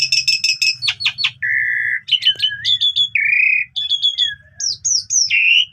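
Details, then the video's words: Energetic morning song of an Asian pied starling rich in borrowed phrases: fast stuttering clicks, a steady buzzy note, twisting whistles and a harsh grating block, ending with upslurred whistles over low hum. "Pancingan Pagi !! Jalak Suren Gacor Full Isian Cocok Buat Masteran Burung Kenari Paud"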